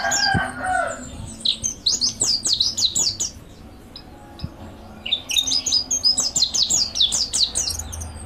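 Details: Mountain white-eye training song: after a brief low, harsh call at the start, fast high twittering phrases of falling notes come in two bursts separated by a quieter gap.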